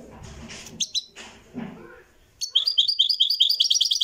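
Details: Moroccan goldfinch in a live recording: after muffled background noises and two short high notes, a fast series of repeated twittering chirps begins and continues to the end.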